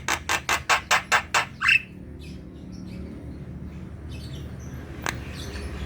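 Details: Black-winged myna in full, persistent song, offered as a lure to prompt lazy kept birds to sing: seven harsh, evenly spaced rasping notes, then a short rising whistle. After that comes low background hum and one isolated sharp note.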